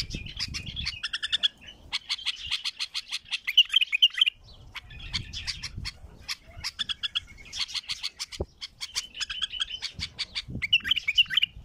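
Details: Wild bulbul singing powerfully: dense chattering phrases of rapid high clicks and trills broken by short pauses, with a few bright whistled notes and low background rumble.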